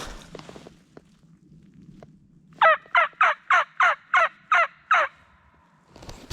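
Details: Wild turkey gobblers in a Mississippi national forest, coming in quickly toward a hunter. Over faint rustling, a loud rattling series of about eight rapid, harsh notes rolls out over two and a half seconds, then shuffling noise returns.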